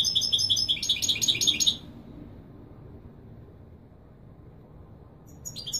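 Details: European goldfinch in authentic Marrakchi Widani song, played to tutor chicks; a regular string of about ten bright, high, ringing notes, then quiet, with a brief chirp at the end.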